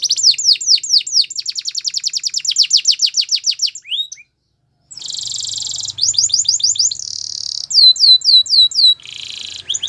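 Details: Canary singing a training song, opening with a long fast series of sweeping notes, a brief silence, then buzzy rolling trills and clear downward whistles repeated in quick succession.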